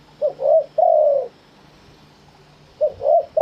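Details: Live Thai spotted dove cooing in wild-style phrasing. It gives short low, soft coo phrases of three quick notes, then a pause, then the phrase starts again. The background is quiet.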